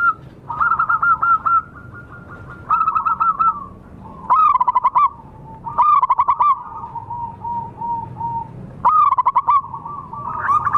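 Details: Local wild zebra doves calling, used as a lure for wild birds: repeated bursts of sharp stuttered coos alternate with drawn-out soft purring notes, with two or more birds overlapping.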